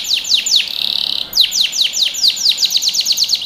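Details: Canary song for training young birds: loud, quick downward-sliding chirps, a short buzzy trill in the middle, then more clear falling notes repeated in an uneven, rapid rhythm.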